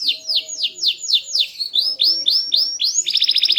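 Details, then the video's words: Loud, melodious small canary delivering a quick string of sliding downslurred whistles, about three per second, ending in a fast pulsed trill. "Burung Kenari Gacor, Body Kecil Suara Keras Merdu Bervariasi"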